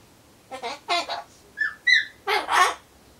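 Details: Solomons corella kept at home, talking alone as it waits for pumpkin; two throaty spoken syllables, then bright rising whistled notes, closing with a drawn-out hoarse word.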